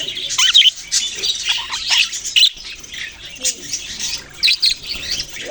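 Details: Budgerigars, Australian parrots, chirping loudly: dense overlapping chatter of high warbles, squeaks and scratchy chirps in quick bursts, with brief pauses between flurries.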